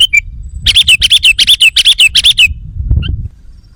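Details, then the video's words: Sooty-headed bulbul lure sound for attracting wild birds: a rapid run of about a dozen bright, bubbly notes, nearly three per second, then quieter low rumbling. "Suara Burung Kutilang Pikat GACOR Sekali Putaran Kutilang Liar Auto Emosi!"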